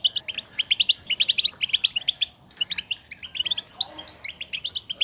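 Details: Goldfinch chatter used to stir males to sing and mate: rapid bursts of bright, high twittering notes in clustered runs, repeated almost continuously with brief gaps.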